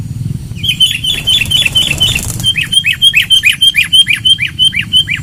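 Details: Sooty-headed bulbul lure song, loud: a fast even series of bright, downward-swept chirps, roughly three per second, after a brief rustle.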